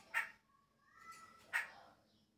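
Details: A chopi blackbird singing at the start of its season, when its song changes, gives two loud, harsh, buzzy notes about a second apart, with a clear whistle rising from mid to higher pitch between them.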